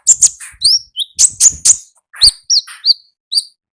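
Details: Konin singing energetic wild-style "gacor" song: loud emphatic high chirps alternating with clear downward-slurred whistles, delivered in quick irregular bursts.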